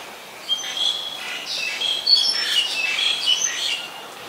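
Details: Black-collared starling, also called black-collared myna, in Ubon Ratchathani, Thailand, on 24 October 2021; a dense, irregular run of squeaky whistles, chirps and scratchy notes begins after half a second, set against a quiet background.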